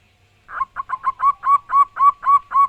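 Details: Local wild zebra dove calling loudly: around ten rhythmic cooing notes that begin rough and short, then settle into clear, rising-and-falling coos spaced about a quarter-second apart.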